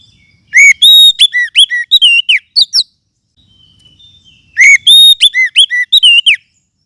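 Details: Oriental magpie-robin of forest habitat, used to lure birds and to tutor caged ones: two energetic strings of clear, loud whistles that rise and fall quickly, with about two seconds of quiet between them.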